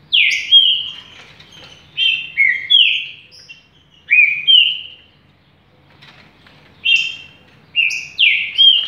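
A green-winged saltator sings loud, rich whistled phrases, each a short downward slur into a steady ringing note, given in bursts with brief pauses.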